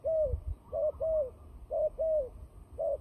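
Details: Turtle dove fighting call used for trapping: paired low cooing notes, each with a slightly falling, arched tone, repeated roughly once a second with short silent gaps.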